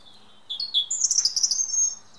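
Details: European robin singing in woodland: a clear, sweet phrase that opens with a few high whistled notes, then breaks into a rapid, tumbling, very high warble lasting over a second, against a quiet background.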